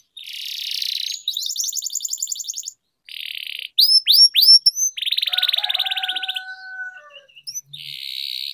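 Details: Caged canary used as a singing-training recording: buzzy trills, rattling note series, sharp rising whistles and a few long level whistled tones, alternating with short pauses.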